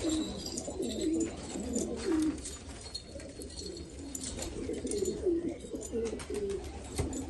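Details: Low, rolling coos from black Afghan pigeons in Afghanistan, repeated roughly once a second in uneven bouts, with several birds overlapping and light rustling behind.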